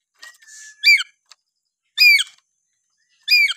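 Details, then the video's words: Lory from Papua giving natural whistles: a thin level whistle, then three loud descending harmonic slurred notes spaced about a second apart, with little else heard. "siulan alami burung nuri paltem papua"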